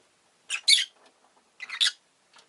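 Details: Two doubled, harsh squawking bursts from a rosy-faced lovebird, each a quick grating note run into a louder one, about a second apart.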